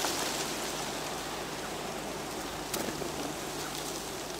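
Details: Steady hiss of rain falling on a surface, with a single sharp tap near the middle and no animal calls.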